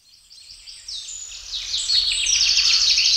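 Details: A common redshank (Tringa totanus) flying over woodland gives a rapid run of high, ringing piping flight or alarm calls, about three a second, growing louder as it approaches, with a faint low rumble beneath.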